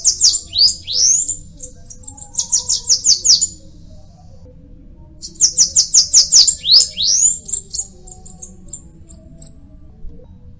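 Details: Bananaquit song: two bursts of very high, thin, hurried notes, each a run of quick descending slurs ending in brief sibilant ticks. The bursts come about five seconds apart over a low background hum.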